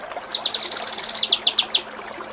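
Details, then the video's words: Kinoi 'nembak cililin' phrase from a masteran for training songbirds: a quick run of sharp high chips blending into a fast buzzy trill, then slowing into separate descending chip notes. "Masteran Mewah KINOI || Ngepik Kapas Tembak || Nembak Cililin"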